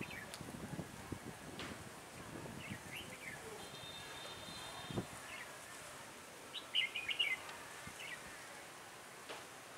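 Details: Red-whiskered bulbul decoy for trapping on a cold, windy day, 16 December 2017; wind noise and knocks throughout, a steady faint tone midway, then a short, quick warbled phrase of bright notes in the latter part.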